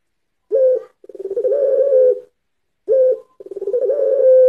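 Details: Puter pelung (Barbary dove) lure song. Two matching phrases, each a short opening coo followed by a rolling, pulsing build into a long, level, sustained note.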